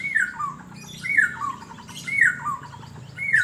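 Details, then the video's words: Asian fairy-bluebird sunbathing in Banjarmasin, giving liquid two-part whistles that step down from a higher note to a lower one, repeated roughly once a second over a faint low hum. "Burung Cucak Biru Gacor saat dijemur"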